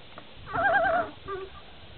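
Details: Common loon giving a brief warbling, wavering call lasting about half a second, followed by a softer lower wavering note, over low background hiss.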